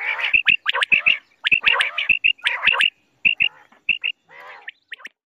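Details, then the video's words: Morning quail calls: crisp, high clipped notes repeated in fast bursts of two or three, mixed with brief buzzy, grating notes, with gaps of silence between groups. "batair ki awaz subha kaliy batair ki awaz"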